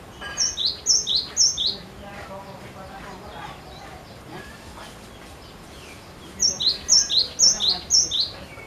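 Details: Persistent cinereous tit song used to prompt other birds into singing: about four rapid two-note phrases, high clear note then lower downslurred one, repeated twice around a quieter stretch with faint background chatter.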